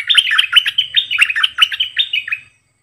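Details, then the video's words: Bulbul decoy bird singing many song phrases: a rapid run of bright, chirping, slurred whistles, each note swooping up and down, delivered continuously for about two and a half seconds before stopping. "เปิดดอกเพลงเบิ้ล!!ร้องหลายเพลงSuara merbah lekir gacorbahanan"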